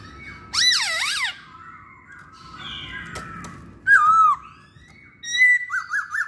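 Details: Masked laughingthrush (poksay Hongkong) sings in a lure recording: a loud wavering whistled phrase, quieter buzzy notes, then a sharp downslurred whistle and a closing run of short rising and falling notes.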